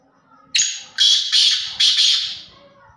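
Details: A black francolin of the Sindhi breed gives a loud, harsh, grating call of four rasping notes in quick succession over about a second and a half, with little else heard.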